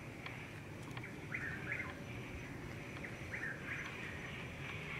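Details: Chuck-will's-widow calling at night in Florida in late April or early May to attract a mate: two swooping whistled phrases about two seconds apart, each a brief note then a rising-falling slur, above a continuous high tree-frog chorus.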